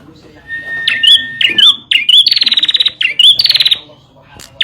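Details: Bar-winged prinia song for prompting and training caged birds: a few thin whistled and slurred notes, then two fast, loud, pulsing trills, each starting with a short upward flick.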